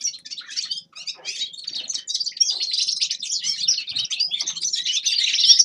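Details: Grey-crowned goldfinch starting with separate sharp chirps that quicken into a continuous, high, twittering warble growing louder toward the end.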